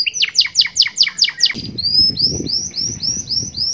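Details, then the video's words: Caged canary song in the cengkok style with glatik batu fill-ins: a quick run of sharp, piercing downslurred notes, then a series of thinner rising whistled notes, over a faint low rumble. "AUDIO MASTER BURUNG KENARI CENGKOK SUPER MEWAH FULL ISIAN {GLATIK BATU}"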